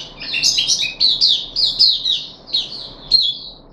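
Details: A caged puff-backed bulbul on its third deworming day, 14 July 2021, sings a brief phrase of tumbling, buzzy notes that thin out into a few sharp chirps near the end.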